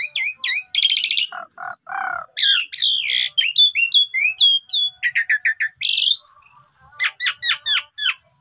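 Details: Asian pied starling song used as a lure to prompt other birds to sing out their repertoire: rapid changing phrases of sharp upslurred whistles, dense buzzy chatter and low harsh notes, with a long sweeping rattle near the end.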